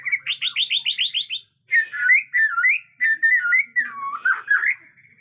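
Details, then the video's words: White-rumped shama from Borneo, agitated, in natural forest sound: a rapid run of about nine bright repeated whistled notes, then a series of clear rich whistled phrases with looping slides, loud and clean throughout. "Murai Batu Borneo Ngamuk suara asli hutan"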